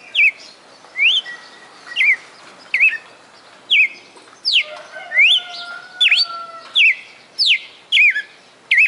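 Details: Caged red-cowled cardinal (galo-de-campina) from Fortaleza, Ceará, Brazil, singing a long run of clear whistled slurred notes, rising or dipping, about one every 0.7 seconds, with a steady drawn-out tone held underneath midway.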